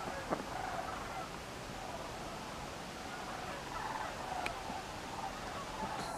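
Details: Sandhill cranes in a large flock flying overhead, seen from a duck pen on 11 October 2017, give rolling, trumpeting calls; the calls overlap and sound distant against a steady background hiss.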